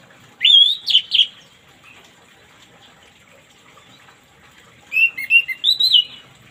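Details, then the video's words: Orange-headed thrush singing in the morning, played as therapy for birds that won't sing: two bursts of bright, varied whistled phrases around 2.5–4k, each about a second long, separated by quiet, with faint background hiss. "terapi burung anis merah macet di pagi hari biar cepat ngplong"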